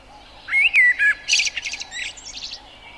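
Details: Common blackbird (Turdus merula) delivering a phrase of a few rich, looping whistled notes, then a rapid series of high, scratchy chattering notes that fade toward the end.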